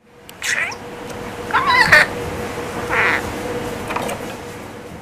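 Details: Pet male budgerigar, three years old, from Mie, Japan, mimicking Kansai-dialect speech and complaining back at its owner. Several brief, wavering, nasal vocal bursts are spaced about a second apart against a faint constant hum.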